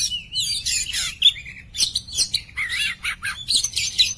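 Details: Clear-voiced Oriental magpie-robin (kacer poci) in lively song: harsh high chatter and buzzy bursts mixed with a short pure whistle and wavering warbled phrases, delivered in quick separated bursts.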